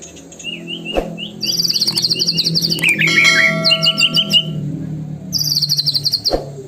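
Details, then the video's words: White-rumped shama song: rapid high trilled bursts and slurred whistled notes with sharp clicks, a ringing chime-like tone sustained in the middle, and a low hum underneath. "PUTAR PANCINGAN MURAI BATU INI LANGSUNG BUNYI GACOR FULLISIAN!"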